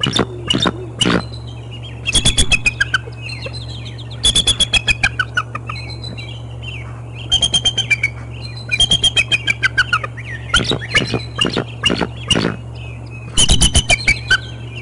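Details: Bald eagles at the Decorah North nest in the early morning of 25 April 2021. Loud bursts of high, chirpy, descending whistled notes come in clustered series every second or two, with sharp clicking knocks close to the microphone and a steady low hum beneath.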